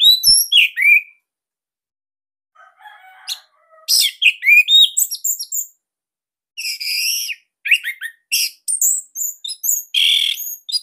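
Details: Dense, loud singing of a Bali Orange-headed thrush intended as a master for young birds: varied phrases mixing high chips, harsh buzzy notes and slurred whistles, with a short soft passage near the start.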